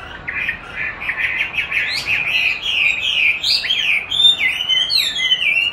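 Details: Chinese hwamei being trained to sing by playback of its own recorded song, which it eagerly duels with; rich, varied whistled phrases, slurred up and down, rising in loudness and pitch toward the end.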